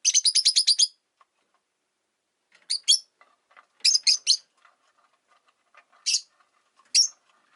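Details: Rosy-faced lovebird among five caged pets by a window bursts into a rapid run of about eight sharp high chirps, then chirps in pairs and triples over soft low chatter.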